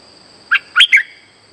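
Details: Streak-eared bulbul lure sound for trapping: one brief three-note phrase, a soft note followed by two louder slurred chirps, over a steady high tone.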